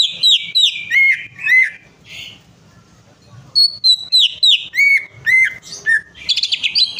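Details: Singing greater green leafbird, played to coax a reluctant bird into song: rapid clear whistles dropping in pitch, a pause, then a second run of whistled notes ending in a dense, chattering high flourish.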